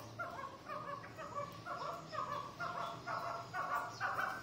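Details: Chukars of a fighting line uttering evenly spaced, nasal clucking notes, roughly two per second, against a low background hum.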